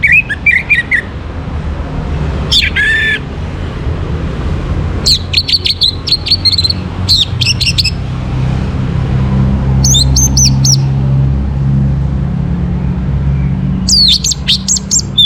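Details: Orange-headed thrush in morning song, played to push birds into breeding condition. Bursts of rapid high chirping and twisting notes come every couple of seconds, separated by gaps filled with a low mechanical hum.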